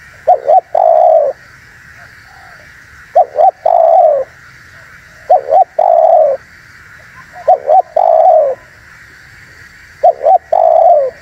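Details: Luring call of a spotted dove, meant to rouse wild birds: five evenly paced phrases about every two seconds, each two short coos then a long, sliding, downward coo, steady hum underneath.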